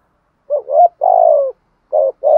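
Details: Close spotted dove decoy call meant to stimulate other doves, a wavering rising coo, a long steady hollow coo, then two more short coos.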